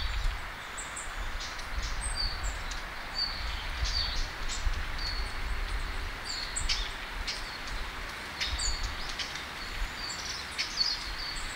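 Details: Black-faced bunting (Emberiza spodocephala) in a park in winter gives thin, high, very short tsip notes scattered irregularly, over a steady low rumble of wind and outdoor noise.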